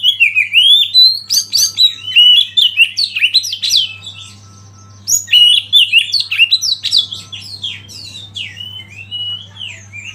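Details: Oriental magpie-robin (kacer), a lead tutor bird singing to provoke other birds into song: a fast, varied stream of high whistles, sweeping slurs and chirps, briefly pausing midway, over a steady low hum.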